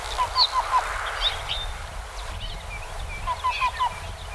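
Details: Black-billed cuckoo singing in spring: soft, hollow cu-cu-cu-cu notes in quick groups of four, repeated after a pause; higher chirps from other birds and a low rumble behind.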